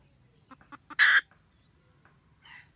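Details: Wild red junglefowl hen guarding the nest and calling to the male, recorded 2020-2021. A few quickening clucks climax in one loud, raspy cackle, followed by a faint distant call.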